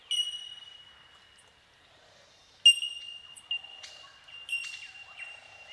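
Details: A colony of Bell Miners in tall eucalyptus forest, Watagans National Park, NSW, Australia, gives clear, ringing high tinks that overlap into a steady bell-like, windchime chorus, with sharp louder notes struck every second or so.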